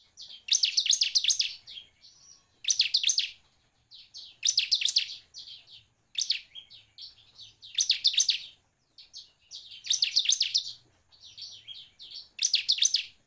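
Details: Bar-winged prinia song used as a lure to prompt other prinias to sing: rapid, high, buzzy chattering bursts, each about a second long, repeated roughly every two seconds in a lively, steady series, with a quiet background.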